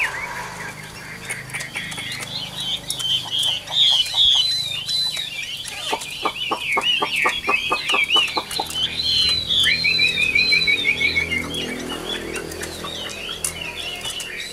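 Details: Caged Chinese hwamei, an old wild-caught bird with good vocal quality, sings high looping whistles, then a rapid run of dry clicking notes and a long, falling, trilled phrase, with faint background hum.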